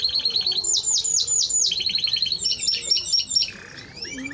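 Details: Timbrado Español canary singing a quick trill, then loud downward-slurred chirps repeated about four per second, further rolling trills and a lower churring note at the end.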